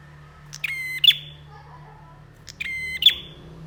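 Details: Bar-winged prinia with a pair of buzzy phrases about 1.9 seconds apart. Each starts with a short tick, swells into a grating harmonic buzz and snaps off in a bright chip, over a constant low hum.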